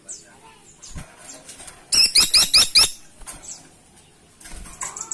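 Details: Caladi tikotok woodpecker in full loud voice, giving a short run of five harsh, piercing high notes in rapid succession, framed by soft rustles and faint twittering.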